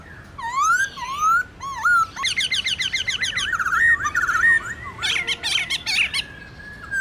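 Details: Black-throated laughingthrush singing wild-style to stimulate captive birds: rising whistled slurs, dense rapid chattering with warbling notes, then sharp clustered chips and a long steady whistle.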